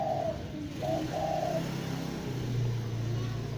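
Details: Spotted dove giving a few soft, hollow coos in the first second and a half, then falling quiet while a steady low engine-like hum fills the rest.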